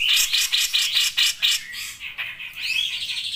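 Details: Grey-cheeked bulbul (cucak jenggot) song: loud, buzzy high notes pulsed about five times a second for one and a half seconds, then softer chatter and a rising whistled slur.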